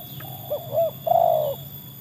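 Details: Trained tekukur (spotted dove) tested against wild doves: two short soft coos lead into a longer, fuller hollow coo, with low hum beneath.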